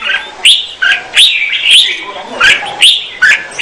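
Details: Female red-whiskered bulbul singing to stimulate the male: short bright warbled phrases around mid-high pitch, rising and falling slurs, repeated roughly every half second with brief pauses between.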